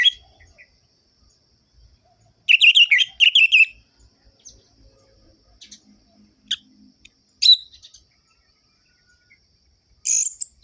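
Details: An orange-headed thrush, recorded to stimulate lazy birds, gives a short burst of rapid, rich warbled notes amid long quiet gaps broken by a few isolated chips and a faint distant call.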